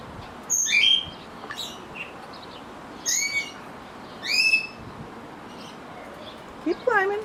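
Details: Budgerigars loose outside while a lost pet budgie is being caught, uttering scattered bright chirps and warbled rising notes in separated bursts, ending with a rapid descending series of notes.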